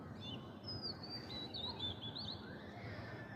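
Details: Oriental magpie-robin voicing a run of thin, slurred whistles that rise and fall, with quick twittering turns between phrases, heard faintly over a steady low rumble of background noise.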